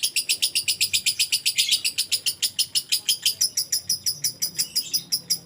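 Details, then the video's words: Lovebird singing gacor ngekek style, a steady run of sharp high chirps repeated about one and a half times a second, each a bright buzzy pulse, with no other sounds. "Love bird Gacorr_Bukan love bird konslettt"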